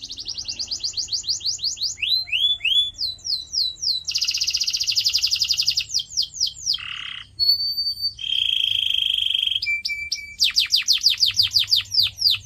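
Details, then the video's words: Canary singing, offered as training material for pet birds: a varied sequence of fast trills, rapid slurred chirps, buzzy rolls, and short steady whistled notes, switching tour every second or two. "CANARY SINGING SOUND"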